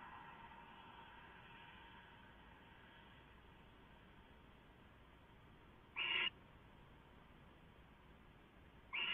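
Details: Owl on a live camera getting leftovers, 6:04 AM on 15 March 2014; a steady faint hiss, then two short harsh rasping screech bursts near the end, the second cut off.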